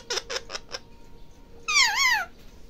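A parrot mimics a cup sound: four quick, clicking squeaks in under a second, then a wavering, rising-and-falling squealing whistle.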